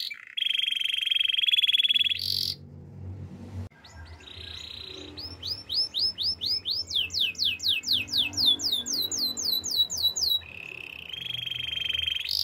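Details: Training song of a Spanish Timbrado canary: a steady rolled buzzing tone, then a series of clear sweeping notes repeated about four per second, ending in another sustained trill over a low background hum.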